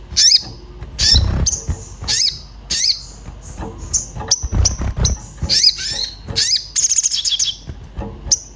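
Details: Agitated orange-bellied flowerpecker seeking a companion, used as a lure to prompt other birds to sing: sharp high chirps and quick upswept notes in irregular bursts, a buzzy rapid trill near the end, with low thumping knocks underneath.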